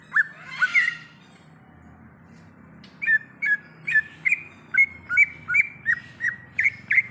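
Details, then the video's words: Greater green leafbird singing in the wild: a few slurred opening whistles, a pause, then a long, evenly paced series of short whistled two-part notes, nearly three a second. "Suara Asli Cucak Ijo | Suara Alam Cucak Ijo"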